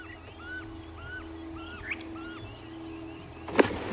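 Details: On a sunrise safari drive, near a flock of arrow-marked babblers, a Fork-tailed Drongo unusually poorly imitates another bird, possibly a barred owlet: paired arched whistles, high then low, about every 0.7 seconds over a vehicle engine hum and one knock.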